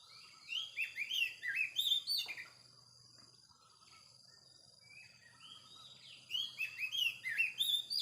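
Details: A wild Oriental magpie-robin sings a fast run of varied, sweet swooping whistles. It pauses for about three seconds, then sings another energetic burst. A steady high hiss is heard throughout.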